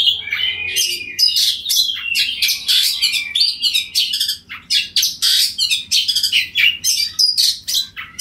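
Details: Oriental magpie-robin, known as kacer, in 'ngeplong' song calling another bird that answers; rapid rasping and chattering notes mixed with whistled slurs, steady dense delivery across the clip.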